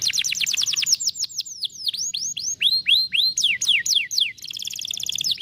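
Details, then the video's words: Canary song in the 'vara de pescar' style, used to stimulate a lazy canary to sing: rapid rolls of high sweeping notes, then rising slurred whistles and falling notes, ending in a dense buzzy trill. "som de vara de pescar canário preguiçoso"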